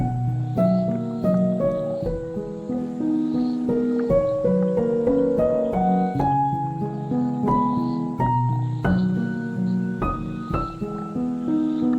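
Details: Slow, gentle piano music plays throughout, with sustained chords and no animal calls.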